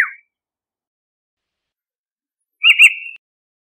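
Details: Eurasian golden oriole: a short clipped note at the start, then a wavering double-inflected whistle ending in a level tail, with a faint lower echo beneath it.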